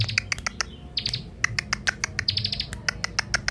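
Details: Young bar-winged prinia (ciblek) used as a lure bird: rapid high chirped phrases in short clusters, mixed with crisp clicking sounds and a faint low hum behind.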